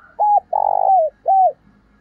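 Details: Spotted dove used as a decoy, cooing to attract other doves ('thúc bổi' calling): one low phrase of a short hooked coo, a long vibrating coo sliding down, and a final arched coo, crisp and close.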